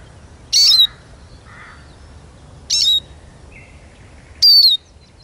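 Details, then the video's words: Eurasian siskin delivering three strained, high notes that slide down into thin whistles, about two seconds apart, with soft lower chirps in the background. "Как поет чиж"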